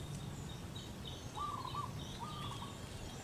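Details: Local female zebra dove performing manggung to call its mate: a pair of quavering trilled coos about a second apart, over constant low background rumble and light high-pitched chirping from other birds.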